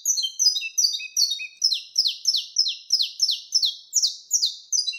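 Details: Quick, lively saffron finch song in the 'canto mateiro' wild style: piercing downslurred notes delivered about three per second, interspersed with softer low whistles, with nothing else audible.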